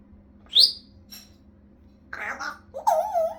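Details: Pet African grey parrot indoors, which imitates fart noises, laughs and talks: a sharp rising squeak, a breathy noisy burst, then a wavering moan-like voiced sound.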